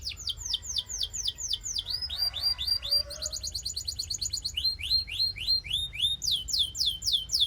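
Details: Belgian canary song meant to warm up canaries and excite females: continuous high chains of quick downward-swept whistles, the tour switching every second or so between faster and slower repeated syllables.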